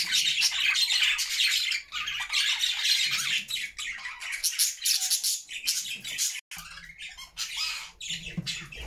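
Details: Happy flock of caged budgerigars singing in a new homemade cage; dense, continuous chattering warble of overlapping squawks, chirps and buzzy trills, with brief pauses.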